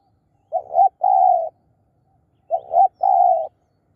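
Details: Spotted dove used as a lure for wild birds, delivering two clean coo phrases two seconds apart, each a stuttered double note then a sustained low hummed note, with no other sounds.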